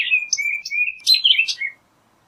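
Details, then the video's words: A rapid phrase from an orchard oriole: smooth, level whistles run into a chattering cluster of high, buzzy notes, then a brief falling whistle. Background is silent. "Orchard Oriole Bird Singing, Calling, Chirping, Sound - Calandria Castaña Canto - Icterus Spurius"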